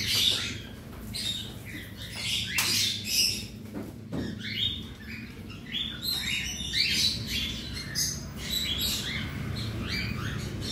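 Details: Around 100 cockatiels housed together in a colony aviary while the cages are cleaned; many short, sharp chirps and screeches tumble over each other in uneven pulses, steady low hum behind.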